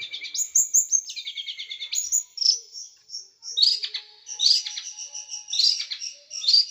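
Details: Varied song of a small bird, sharp and rough, used as tutor recording for caged birds: high chirps, a descending stepped run, and bursts of dense twittering separated by short pauses.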